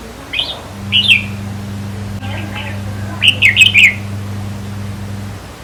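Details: Red-whiskered bulbul song used as a decoy to make caged birds lively: a short chirp, then after a pause a rapid bubbling run of bright notes, over a constant low hum.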